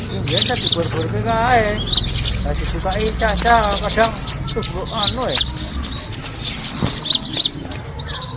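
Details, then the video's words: Bird-attracting sound of the kemade bird: a dense wash of high chirps and twitters, with some lower buzzy, wavering notes mixed in during the first seconds. "the sound of the kemade bird attracting noise"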